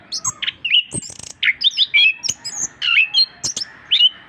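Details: Vigorous Orange-headed thrush song, used as a master recording to encourage reluctant birds to sing: a dense, unbroken stream of varied high whistles, sharp chirps and twittering slurs, constantly shifting in pitch, with a faint steady hum beneath.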